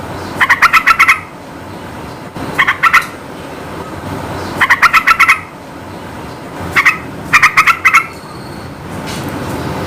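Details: Energetic song of a yellow-vented bulbul, aimed at making reluctant birds answer; short volleys of rapid, bright notes, some runs only two or three notes long, others six, recurring about every two seconds amid background hiss.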